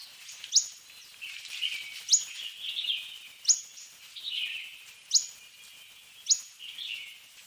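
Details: Fork-tailed sunbird (Aethopyga christinae) repeating a crisp, high downward-slurred note about every second and a half, linked by soft, buzzy high warbling.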